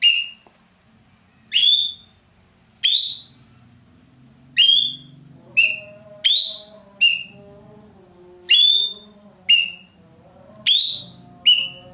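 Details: Roller, popular in Indonesia as a master bird for training songbirds, calling loudly: a long run of about a dozen sharp, upswept whistles at irregular intervals over low humming background tones.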